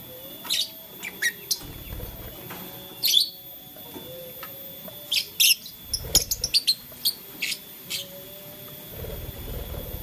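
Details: Blue, lutino and green lovebirds playing with a flower give sparse, sharp, high chirps, single notes spaced a second or so apart, then a quicker run of short chirps, over a low steady hum.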